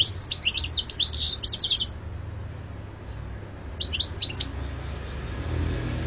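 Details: European goldfinch singing, 2014: a dense two-second outburst of rapid tinkling, buzzy twitters, a pause, then a shorter burst of bright chirps, followed by quiet hiss.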